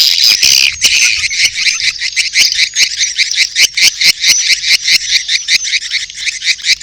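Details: Swiftlet mating call with chick calls, rhythmic high chirping pulses repeating about twice per second over a continuous twittering background.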